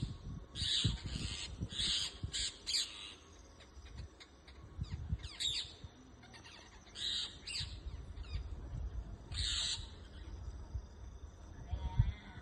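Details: Parrots in a moringa tree in a backyard, harsh grating squawks in short bursts repeated every second or so, with pauses between, over steady low rumbling background noise.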